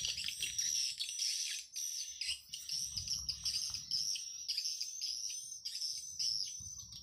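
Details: Swiftlet calling sound played through an amplifier to lure swiftlets: dense, continuous high chirping and twittering, overlapping rapid notes with a steady thin whistled tone running through, and a faint low rumble beneath.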